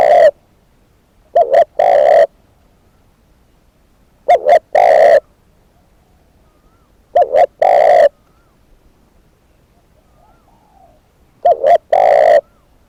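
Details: Decoy spotted dove cooing steadily: four phrases roughly every three and a half seconds, each a short stuttered pair of hoots then a drawn-out husky coo, in a quiet setting.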